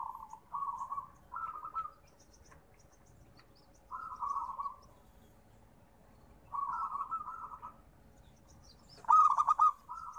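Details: Zebra dove (perkutut), local bird: short purring coo phrases repeating roughly every two to three seconds, the last phrase opening with a sharp clipped note, quiet between phrases.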